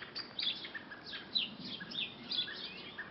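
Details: Birds singing in a quiet back garden at lunchtime, giving bright high chirps and short twittering phrases about once a second, fairly soft, over steady low background noise.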